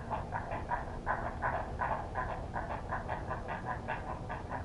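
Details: Heron chicks at the nest as a parent returns to feed them. Rapid, harsh, clucking notes repeat almost three times a second, over a steady background hiss.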